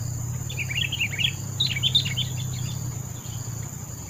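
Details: Sooty-headed bulbul chattering in a jumbled run of quick bubbly notes for about two seconds, partly masked by a loud low rumble and a constant high drone.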